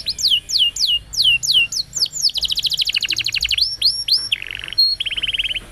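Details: Canary song recorded for training young canaries, with loud downslurred whistles repeated in series, a fast rolling trill, then a high short note and a buzzy lower rattle.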